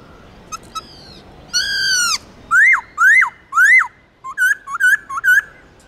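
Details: Black-throated laughingthrush song, used to rouse pet laughingthrushes into singing: two soft notes, a loud downslurred whistle, three rising-falling whistled phrases, then quick short clear notes in a lively sequence.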